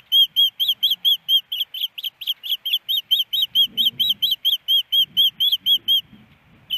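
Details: Female osprey calling from the nest, Missoula, Montana, April 28, 2019, after a snowy morning, expecting a fish that never comes: a rapid series of bright whistled cheeps that stops near the end, with soft low noise beneath.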